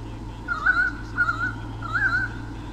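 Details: Pair of white-bellied sea eagles in Sydney Olympic Park, Australia, 2013, defending their territory from swooping currawongs, caught on a nest camera: three quavering honking phrases about a second apart, above a low electrical drone.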